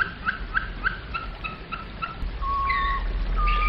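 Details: Domestic canary singing in the flute style: a series of short whistled notes repeated about four per second, then long pure steady whistles, over a low background hum.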